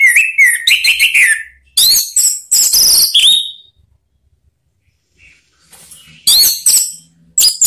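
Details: Lure call of an orange-headed thrush meant to set other birds singing ('ngeplong'): loud bursts of varied whistles and shrill, buzzy notes, a quiet gap of about two seconds, then more sharp high phrases.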